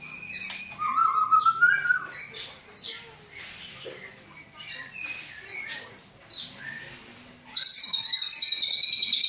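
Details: White-rumped shama of Aceh stock, a captive male prepared for breeding, delivers a varied song: a rising whistled phrase, then rapid chips and buzzy notes, ending in a sustained high harsh trill.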